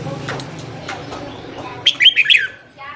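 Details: Red-whiskered bulbul singing in the morning, meant to fire up newly caught birds in training: after a second of soft background chirps, one quick run of four or five loud, bright whistled notes rising and falling.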